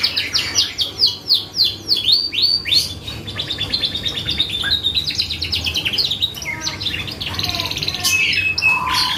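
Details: Canary singing as a lure to trigger other birds' responses: rhythmic downward whistled sweeps about twice a second, then a long rapid trill and mixed chirps and buzzy notes.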